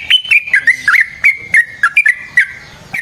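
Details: Lively yellow-vented bulbul recorded as a lure to provoke other bulbuls into song: loud bubbling, liquid notes that rise and drop in quick succession, a chattering, rolling phrase with brief pauses between notes.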